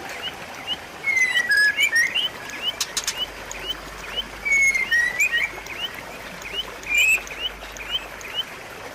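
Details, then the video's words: White-rumped shama song to stimulate a silent shama: three loud bursts of slurred whistled notes spaced a few seconds apart, separated by evenly repeated soft rising chirps, with a brief rattle near three seconds. "pancingan dan masteran murai batu macet bunyi"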